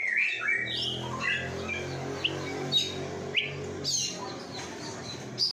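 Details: Oriental magpie-robin in full konslet song: quick whistled slurs and short sharp chips, some rising steeply, over a steady low droning hum that runs throughout.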